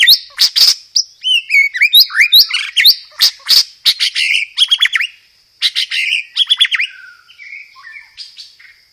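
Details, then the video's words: White-rumped shama delivering loud roll-tembak phrases mixed with sparrow-fight fill-ins, for testing and tutoring other shamas: dense, fast rattling chatters and harsh chips in bursts, ending with softer scattered whistles. "PANCINGAN SUARA BURUNG MURAI BATU isian gereja tarung, full materi roll tembak"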